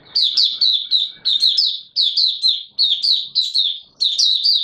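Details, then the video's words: Caged Mata Puteh Raja white-eye, not yet fully conditioned, 9 May 2022; closely packed high chirping phrases, each a quick cascade of thin notes, follow one another with hardly any pause. "Mata Puteh Raja V1 buka sing not full condition yet"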